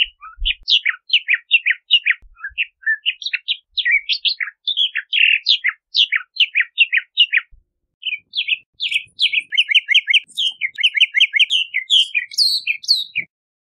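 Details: Long, varied Bahama mockingbird song: a continuous stream of rapid sliding whistles and chirps, shifting into repeated downward-slurred notes and high squeaky elements near the end.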